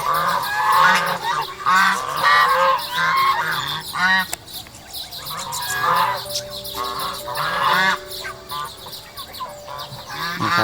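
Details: Chinese geese in a farm flock, where month-old Toulouse goslings are being introduced, honk loudly and repeatedly: harsh nasal calls in overlapping bursts about once a second, with a man talking quietly underneath.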